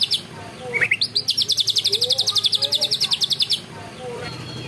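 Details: Greater green leafbird delivering a canary-style 'ngunci kenari' phrase: a rapid, rattling trill of high, even notes lasting about three seconds, introduced by a short rising note and ending in faint background murmur.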